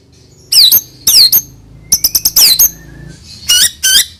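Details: White-rumped shama sound for prompting young birds to sing: sparse, very high, sharp notes that sweep downward. They come singly or in quick clusters, with short gaps between, over a faint low background hum.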